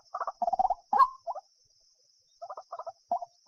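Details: Quieter white-breasted waterhen sounds used for bird trapping: irregular clusters of low, grunting, stuttered notes with pauses between groups and a steady faint hiss.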